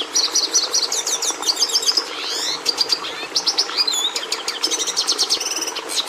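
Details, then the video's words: Lively song from a red siskin, the bird admired by breeders for bringing red colour into the domestic canary: fast repeated chirp series, a swooping slurred phrase, then further buzzy trills and high twitters. "Canto do Tarim da Venezuela"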